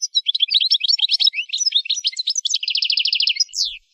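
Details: Goldfinch in full song for song training: four seconds of unbroken, sparkling twitter of varied chirps and slurs, closing with a steady run of about a dozen rapid, evenly spaced notes and a final long downward sweep.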